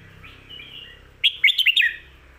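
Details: Training song for pet birds at home by a Red-whiskered bulbul, "phat kuaitiao" and "khayao khuat" styles: gentle warble followed by a quick, loud run of about six bright, slurred chirps.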